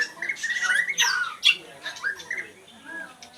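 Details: Oriental Magpie-Robin mixing harsh, squawky, rasping notes with short whistled slurs in an irregular, chattering delivery.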